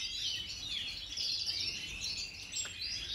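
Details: Major-type European goldfinches singing in 2023: fast, overlapping twitters and sliding whistled notes fill the recording, with a single short click late on.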